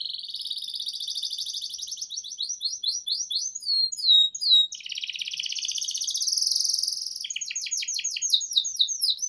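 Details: Energetic canary song used as a master for young canaries; long rapid trills, a burst of varied chirps, a rising buzzy roll, then crisp downslurred notes repeated quickly.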